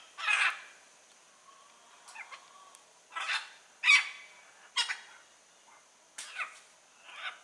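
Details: Wild blue-and-yellow macaw giving strong, hoarse, screeching squawks, about six separate calls at irregular intervals, each loud and broadband against a quiet background.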